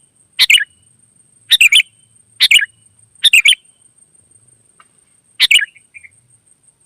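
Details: Wild sooty-headed bulbul in chatty 'gacor' song used to prompt other birds to answer, giving clipped chortling phrases at irregular gaps of one to three seconds, with a thin constant high-pitched hum behind.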